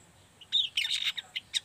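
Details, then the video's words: A young, spotted juvenile long-tailed shrike chatters while learning song, giving a quick burst of high, scratchy chirps and squeaky twitters; the recording is meant to prompt other young shrikes to sing. "Cendet Trotol Paud Gacor Ngriwik"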